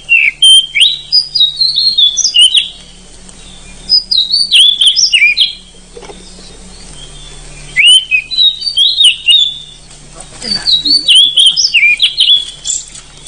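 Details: Oriental magpie-robin (forest kacer) in loud, full song with long rolling phrases, used as a training recording for other songbirds. Four rapid bursts of sweet, varied whistles and trills, each about two seconds long, with short silent gaps and a faint background hum.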